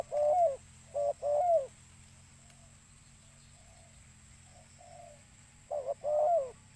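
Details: Spotted dove call recorded for luring birds: two paired cooing phrases, each a short low note followed by a longer falling coo, separated by about four seconds of faint, soft coos and a steady high electronic hum.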